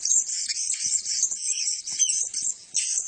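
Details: Several male Blue-crowned hanging parrots keep up a steady stream of thin, very high, shrill chirps and twitters, overlapping with almost no pause.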